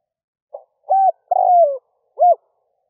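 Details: Cooing decoy spotted dove at early morning, meant to lure wild birds: a brief soft note, a low round coo, an extended downward-gliding coo and a final coo in a clean, quiet recording.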